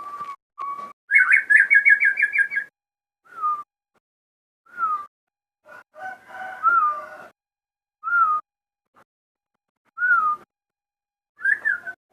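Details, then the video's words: Crossbred captive shama singing: whistled notes, then a rapid chattering run, followed by a string of separate falling whistles spaced one to two seconds apart. "burung murai gacor hasil kawin silang"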